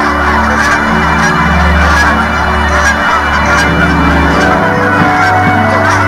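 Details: A large flock of Canada geese in Colorado during winter migration honks continuously, many nasal calls overlapping into a dense chorus over a steady low rumble.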